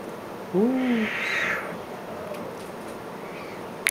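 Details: An eight-day-old captive Spix's screech owl chick, hatched 2011-07-15 and recorded 2011-07-23, gives a single low, hoarse hoot that swells slightly in pitch and then falls away over half a second, against soft hiss.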